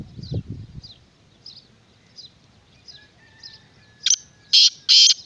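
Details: Black francolin calling: three strident, scratchy notes close together, the last two longest, closing a stretch of soft, repeated high chirping from other birds over a low murmur.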